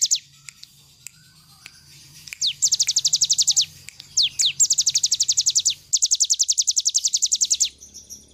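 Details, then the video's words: Cigun bird singing energetically as a model for training other birds: after a quiet start, long bursts of very fast, evenly repeated high notes, broken by a few slurred descending whistles, with a low mechanical hum underneath. "cigun nembak nembak cocok buat masteran"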